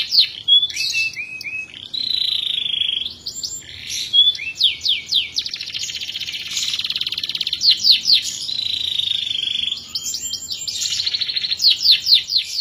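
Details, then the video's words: Long-duration canary song: continuous varied phrases mixing sustained whistled tones, rapid rolling trills and downward-sweeping notes, with brief pauses between segments; no other sounds intrude. "Burung Kenari Gacor Durasi Panjang Pas Buat Masteran l Canary BIRD SINGING"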